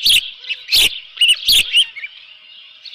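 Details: Osprey calling at the Dunrovin Ranch nest, morning of 24 June 2018, with a live fish; brief piercing chirps in short bursts amid sharp clicking knocks.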